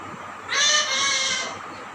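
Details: Talking parrot saying "Mama" like a real child: one drawn-out, voiced, harmonic word lasting about a second, repeated again afterwards, with a quiet background.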